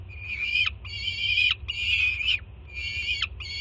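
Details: Young peregrine falcon greeting its first-time mother as she brings morning food to the Jersey City nest, June 2017; long, rasping screams, each ending in a sharp downward drop, three or four in quick succession.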